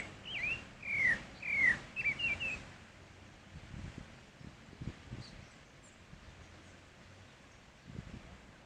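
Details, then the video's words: Pale-breasted thrush (Turdus leucomelas) singing in nature: a brief series of sharp whistled notes with downward slurs, then quiet with soft rustling and low background noise. "Sabiá barranco cantando na natureza"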